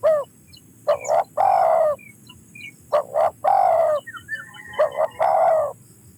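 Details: Spotted dove calling repeatedly, a pair of short notes rising into a long, slightly buzzy low coo, three phrases with pauses, a few faint high chirps behind.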